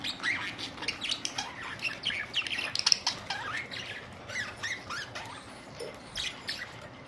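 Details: Budgerigars, several birds, recorded April 19, 2023: busy overlapping warbled chirps and short rising and falling squeaks running continuously, moderately quiet, with a soft steady background hiss.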